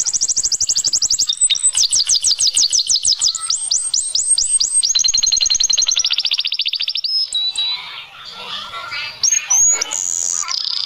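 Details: Canary song made of fast, high, rattling trills that change speed and pitch from phrase to phrase, ending in looser twittering and a couple of sharp upward whistles.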